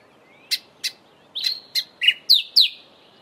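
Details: Calls of a grey sunbird: a run of seven quick, high clicking chips, first spaced then faster, some with short whistled tails, against near silence.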